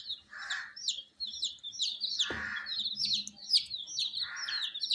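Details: Young colour chicks of domestic chickens, cared for indoors with added heat, chirp continuously in shrill downward-sweeping notes that overlap. One sharp knock and a few breathy lower bursts sound beneath them.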